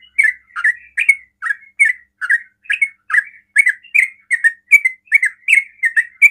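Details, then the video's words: Fast ropel song of a yellow-vented bulbul that lures rival bulbuls to reply, a steady run of short gurgling chirps, rising and falling slightly, delivered about two to three per second in a clean recording. "TRUCUKAN ROPEL PALING CEPAT MEMANCING TRUCUKAN LAIN NYAUT"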